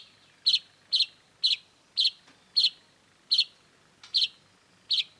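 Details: Long-tailed shrike in full song for a masteran (tutor) recording: short, sharp, high notes delivered in an even series about every half to three-quarters of a second, with quiet background.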